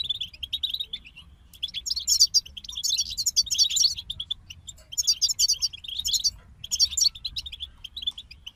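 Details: European goldfinches sing together in quick tinkling twitters and buzzy trills, high-pitched phrases starting and stopping every second or two, with brief gaps of near silence and a soft low background hum.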